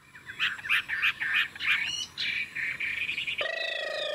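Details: Chinese hwamei in a cage gives a series of quick, somewhat muffled warbled notes at a steady pace, ending with a sudden harsh, buzzy sound.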